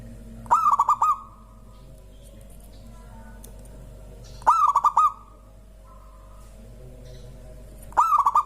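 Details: Local zebra dove repeating its song, said to prompt other birds to sing, three pulsed cooing phrases spaced roughly every three and a half seconds, each a rapid string of mellow, level notes, with faint background noise.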